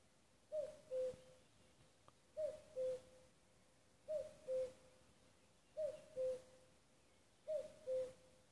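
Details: Five repeated two-note cuckoo calls from a common cuckoo at Nuuksio, Finland, recorded 6 May 2015, roughly one every 1.7 seconds, each falling from a brief high note to a steady lower one.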